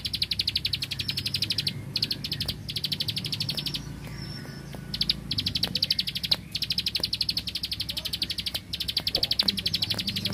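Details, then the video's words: Bar-winged prinia of the rice fields in full energetic song, 'klik klik' style with bursts like machine-gun fire: long runs of high, rapid clicks, about four per second, briefly interrupted, over a low background hum. "Prenjak Klik Klik Burung Sawah Gacor Tembakan Bren Keteran"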